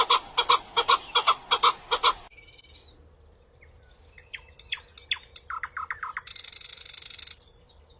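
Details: Birds singing: a run of about ten loud, evenly spaced harmonic notes for two seconds, then an abrupt cut to scattered sharp chirps and quick descending notes, ending in a burst of dense high hiss.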